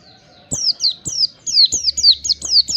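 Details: Oriental white-eye sounds used to get caged birds singing: after a brief quiet start, a quick series of high, downslurred whistled notes, some with a hooked ending, over a low hum and clicks.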